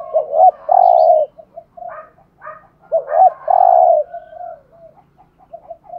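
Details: Spotted dove decoy coos twice, each phrase a quick double note then a long low coo. Brief higher chirps from another bird sound in between, along with quiet murmuring.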